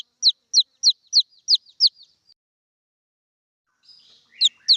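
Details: Red junglefowl chick calling to its mother: six high downslurred peeps in quick succession, a long silence, a faint scratchy rustle, then two more peeps.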